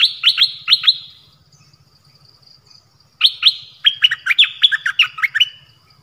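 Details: Dok Taeng bird singing many song phrases: two bursts of rapid, sharp, bright whistled notes, a short one at the start and a longer, more varied run after a pause, over a faint steady high whine and low hum.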